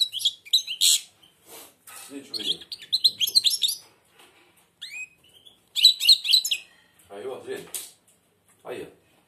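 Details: A blind European goldfinch sings with its beak nearly closed. Short bursts of high, tinkling twitter and trills alternate with a man's coaxing voice through the recording.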